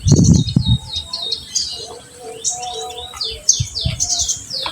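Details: High twittering song of an olive-backed sunbird, the 'tembakan' used to stimulate untrained birds: downslurred whistles and chirps in quick series, after a few loud low knocks at the start.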